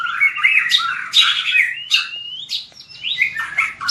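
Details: White-rumped shama singing in a training session for song contests: rich varied whistled phrases with rising slurs and buzzy notes, dense and continuous over four seconds, no other sounds.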